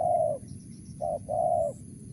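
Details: Spotted dove, Mersik, Tukang Keliling style: a long mellow coo, a pause, then a short note joined to another drawn-out coo.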